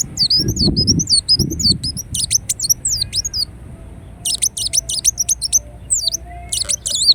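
Ruby-cheeked sunbird giving high, rapid twittering bursts of thin, wavering notes in two long runs, with soft low thumps near the start.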